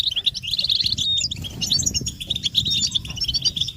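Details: Several European goldfinches in mating and readiness twittering meant to stimulate males to sing; rapid bright chirps and short whistled notes, with a noticeable low rumbling background beneath the birds.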